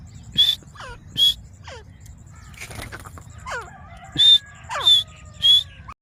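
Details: Desi teeter, the grey francolin, in Layyah, Punjab, giving strident, grating call bursts in two series, interspersed with softer falling notes and a faint steady tone in the background.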